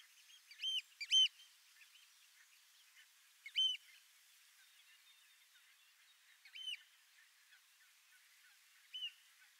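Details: Lesser yellowlegs giving clear, high whistled calls in short bursts of two or three notes, the groups spaced a few seconds apart over a quiet background.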